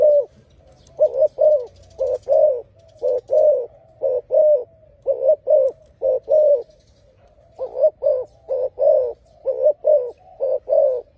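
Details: Spotted dove song: a steady run of low, hollow coos in close pairs, a short note followed by a fuller one, repeated roughly every second over eleven seconds with one short pause.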